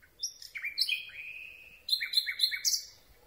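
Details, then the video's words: Common Nightingale singing at night, recorded from very close with a microphone on a telescopic boom; rich, loud phrases of slurred, falling whistles, then a run of four sharp repeated notes with bright high overtones, ending on a high flourish. "Słowik Rdzawy piękny śpiew"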